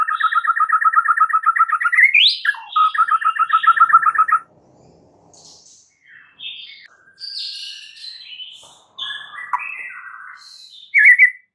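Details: White-rumped shama song played to prompt a silent bird to start singing: a fast run of rapid trilled notes, then a break and varied scratchy, whistled phrases at differing pitches.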